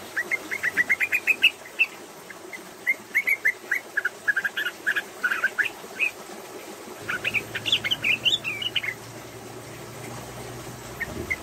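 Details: Female yellow-vented bulbul, singing while fluffed and pushing its tail, giving quick bursts of bubbly, mid-pitched chirps, several notes a second in short rattling runs, over faint background hiss and a low hum.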